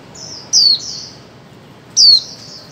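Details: Female white-eye calling, used to stimulate mute birds into singing: two loud, thin, high whistled notes, each sliding quickly downward, about one and a half seconds apart, with faint soft trailing notes between them over a quiet background.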